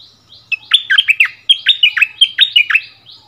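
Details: Bulbul used as a decoy bird, taken back to its old area to duel in song with a new resident territory holder, February 2021: bright slurred phrases of quick falling and rising whistled notes, a faint buzzy note series behind.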